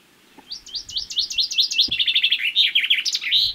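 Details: Common chaffinch repeating its one characteristic spring strophe: a few separate notes, then a quickening descending trill, ending in a loud rising flourish.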